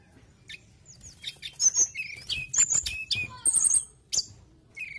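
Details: Mountain tailorbird singing hard: a dense, hurried mix of high whistles, chirps and clicking notes, with a sustained whistled phrase near the end.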